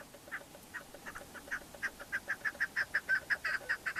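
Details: In the Pamir of Tajikistan, 2021, a chukar partridge (keklik) calls with clucking notes that start soft and spaced, then grow louder and faster into a regular chuk-chuk series.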